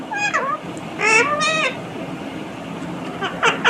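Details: Indian ringneck parakeet talking: a falling harmonic syllable, a longer loud mimicked word with rich overtones, a pause, then short sharp chattering notes.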